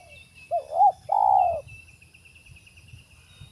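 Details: Spotted dove coos at a trapping spot for wild birds: two brief rounded notes followed by one longer steady coo, with a thin high trilling from another bird running behind.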